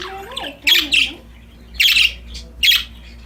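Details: Playful, happy budgerigars chirping: clusters of harsh, buzzy high chirps in three bursts, with a faint lower wavering whistle early on and a low background hum.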